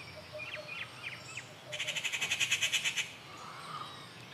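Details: Recorded at Kattupadi on June 19, 2021, a rufous treepie: several short soft chirps, then a loud rasping rattle of about fourteen rapid pulses lasting over a second, ending into quiet outdoor ambience.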